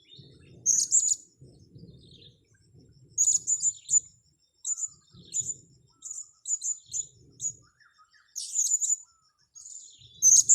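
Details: Blue-crowned hanging parrot lured during bird trapping, giving sharp, very high-pitched squeaky chirps in short rapid clusters throughout, with brief gaps between bursts, over a faint steady high-pitched hum.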